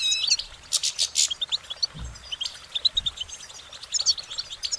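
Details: Goldfinch song of short musical warbling notes, opening with a few harsh buzzy bursts, then a steady run of fast, thin high twitters; a soft low thump in the background.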